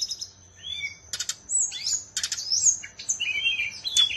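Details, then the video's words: Songbird kept in Bali, Indonesia, singing a varied high-pitched song of thin whistles and quick chirps, with short buzzy notes breaking in between smoother rising and falling phrases. "Burung SRDC BALI"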